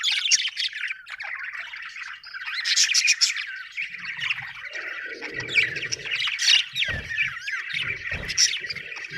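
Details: Happy budgie chirping, billed as Australian birds: fast, irregular warbles and squeaky notes tumbling together, with a few low thuds or knocks midway.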